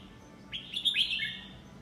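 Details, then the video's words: Red-whiskered bulbul, nine months old, singing in the 'lak wai' style: one bright, warbled phrase under a second long, with quick rising and falling whistled notes over a faint low hum. "นกกรงหัวจุก "ลากหวาย""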